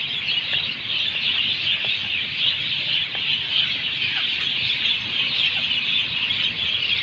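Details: Birds chirping in Singapore, heard on a morning or evening nature walk: a dense, continuous high-pitched chorus of overlapping tweets and twitters with no clear gaps, forming a steady bright wash of sound throughout.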